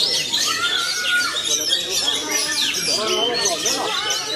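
Oriental Magpie-robin in nonstop song: rich, varied whistles, sweeping slurs and chattering notes tumbling over each other, with what may be voices underneath.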